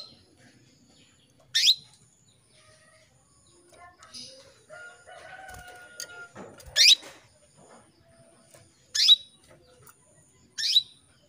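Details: Calling female canary, directed at a male: four sharp, high, downward-sweeping chirps spaced irregularly a few seconds apart, with a rooster crowing faintly in the background.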